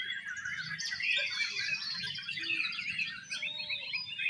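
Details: Competition-singing Oriental magpie-robins in exotic style deliver a busy stream of high, trilled and whistled phrases with sweeping notes, several voices overlapping, over a low rumbling background.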